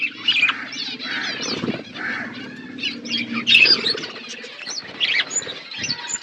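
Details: Pet budgerigars eating food, with clear looping warbles and squeaky chirps from several birds, spaced chatter and soft low thumps between the calls.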